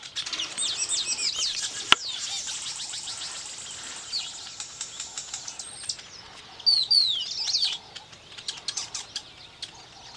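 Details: Weavers building nests keep up a dense, high, buzzy chatter of overlapping rapid notes, with a few sharp whistled slurs near the end and soft wing flutters.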